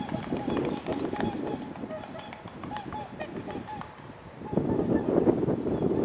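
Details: A male and female whooper swan, on 11 April 2020 in Finland, give a run of short, bugling honks, about three a second, over a low murmur that may be voices.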